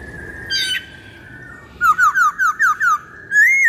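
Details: Black-throated laughingthrush song used as a lure: a sustained whistled tone with a short harmonic burst, then a run of six quick downslurred whistles and a final rising whistled note.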